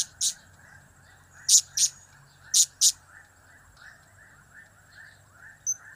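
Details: Piercing high chips of a blue-crowned hanging parrot, cap-cap, kiak-kiak and crap-crap call types, given singly and in quick doublets roughly a second apart against steady faint hum and whine.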